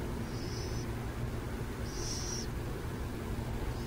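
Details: Burrowing owls recorded in San Jose give short, harsh, hissy rasps, three in a few seconds with the middle one loudest, over a constant low rumble of distant traffic.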